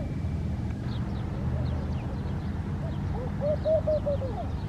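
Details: Laughing dove singing in Al Rahmanya, Sharjah, UAE: a run of about seven soft, arched cooing notes, evenly spaced and slightly rising then falling, heard over a steady low rumble of traffic.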